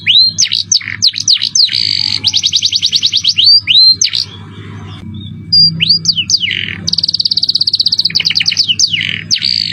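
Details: Canary song in the 'cengkok mewah' style: whistled upslurs and scratchy notes, a long rapid buzzing roll, brief pause, then rising whistles and another extended fast trill, with low hum underneath.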